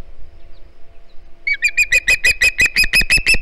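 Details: Juvenile Osprey at a Hog Island nest on a live cam, begging for fish on 09 September 2019; after a quiet second and a half, shrill whistled chirps start and repeat about three times a second.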